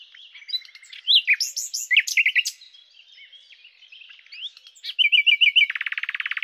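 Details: Song of a common nightingale, Luscinia megarhynchos: varied chirps and slurred whistles, a quick run of rolling notes, then a fast, even rattling trill closing the phrase.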